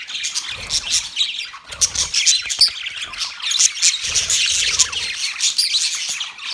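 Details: Budgerigars chirping together in a dense, continuous chatter of high, scratchy warbles and squawks, with brief louder bursts and a few low thumps.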